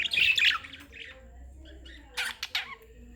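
Budgerigar giving harsh, scratchy chirps in quick bursts, followed by a few sharper squawks.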